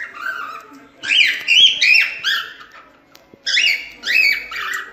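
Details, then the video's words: Cockatiel natural song meant to teach a young bird: bursts of bright whistled notes with rising and falling bends, grouped in phrases about half a second long, then a pause before two more whistled phrases. "Calopsita cantando - canto natural"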